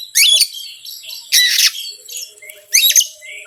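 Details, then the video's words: Oriental magpie-robin lure song for provoking other birds: three loud harsh rasping bursts, each about 1.3 seconds apart, with soft whistled notes between them. "PANCINGAN BURUNG KACER YANG SUSAH PANAS 99%EMOSI"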